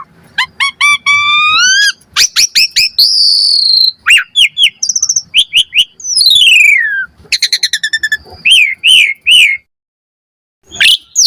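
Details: Asian pied starling singing vigorously, a lure for drawing responses and tutoring birds; rising harmonic whistles, high piping notes, a long descending slur and rapid chattering trills, ending after a short silence with one more note.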